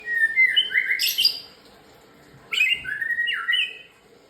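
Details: White-rumped shama singing in the morning: rich whistled phrases around mid pitch, sliding and stepping upward into bright high notes, two bursts separated by a quiet pause, clean background.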